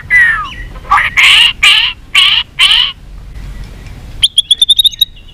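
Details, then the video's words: A white-rumped shama singing a fighting song with tail flicking: five harsh, buzzy, scratchy bursts, then a pause, then a quick run of high, thin, clipped notes. "kích chòe lửa hót đấu"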